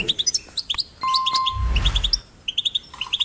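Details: European goldfinch chicks, caged or outdoors, chirp in quick high pairs and triplets for song stimulation, while a steady electronic tone sounds midway and a brief low rumbling noise passes.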